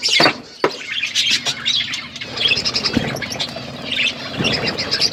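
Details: On a winter morning, pet budgerigars keep up steady overlapping chatter of high chirps, squeaks and warbled phrases, with occasional sharp clicks and light low background noise.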